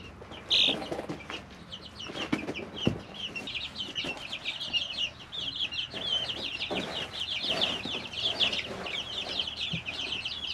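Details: In a brooder, three-week-old chicks keep up a loud, steady wash of high trilling peeps that thickens over the second half, with rustling litter and soft knocks beneath.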